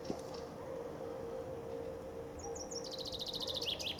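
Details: Common chaffinch singing in spring on the bank of the Ob River near Novosibirsk, Siberia, where several chaffinches sang at once; after two quiet seconds, a fast run of high, sharp notes tumbles downward and ends in a brief flourish, over a steady low hum.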